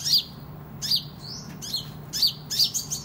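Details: Van Hasselt's sunbird (kolibri ninja) in full competitive voice, usable for tutoring other birds: sharp, very high chirps dropping in pitch, in scattered bursts, over a steady low hum.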